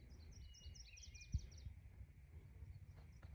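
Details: A Hermit Thrush in Deer Creek Canyon Park, Colorado, gives a faint song: a held whistle, then a quick run of high, fluty, tinkling notes. Low wind rumble and a single thump underneath.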